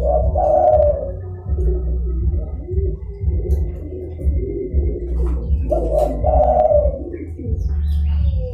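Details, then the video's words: Zebra dove cooing, played to lure other doves into answering: two loud phrases of quick, rolling, staccato coos, one near the start and one near the end, with softer murmuring notes between them over a constant low droning hum. "DERKUKU GACOR (DERKUKU PIKAT)"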